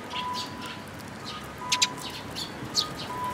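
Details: Sparrows, parent birds with their chicks, recorded on 19 May 2018; short high chirps come in scattered bursts, a few sharper doubled notes near the middle, over a faint steady low hum.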